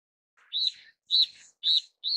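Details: A Steere's liocichla (Liocichla steerii) calls four short, high, slightly arched buzzy notes about half a second apart against a quiet background.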